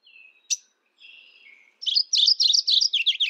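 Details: Mourning warbler calling: thin whistles and a sharp chip lead into a fast, energetic rolling series of about a dozen chirpy, repeated two-part notes lasting over a second.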